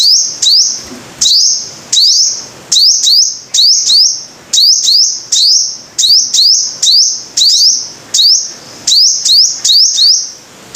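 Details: Lure recording of a five-coloured sunbird singing rapidly: a steady string of shrill high phrases, often doubled, each a swift upward glide leveling into a bright held whistle. Pairs follow closely over ten seconds with little pause.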